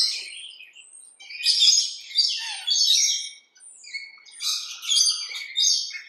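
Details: Rainbow lorikeets in a big backyard tree about 20 m away, which may have nest holes, chatter in the morning in shrill bursts of screechy twittering, several rapid runs over six seconds with brief pauses between.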